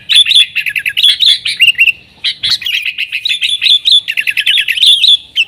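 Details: Yellow-vented bulbul giving vigorous nggaruda-style song, used to draw in wild sooty-headed bulbuls: rapid repeated chip notes with bright whistled accents in dense, lively phrases.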